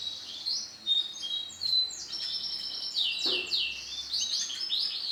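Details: Orange-coloured female canary producing high-pitched, rapid chirping and twittering, notes sliding downward in quick succession, louder in the second half, with a faint hiss behind.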